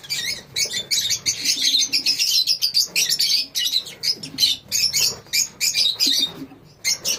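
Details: A lovebird colony produces rapid high-pitched shrieking chirps in quick pulsed bursts, many birds calling over one another almost without a break.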